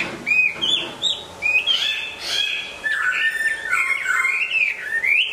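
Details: Hwamei song during moult: loud whistled phrases mixed with harsher squeaky notes, sliding between lower and higher pitches in an energetic, irregular stream.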